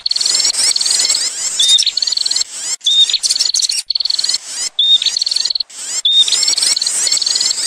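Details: Bar-winged Prinia lure call used to attract birds in the field: high, rapid chattering trills in bursts roughly every second, with brief whistled notes between, over a constant thin insect-like hiss.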